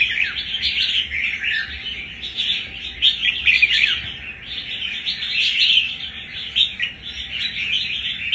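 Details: Recently trapped red-whiskered bulbul, held a month and showing combative spirit, pours out rapid chattering song, notes packed tightly with rhythmic loud peaks.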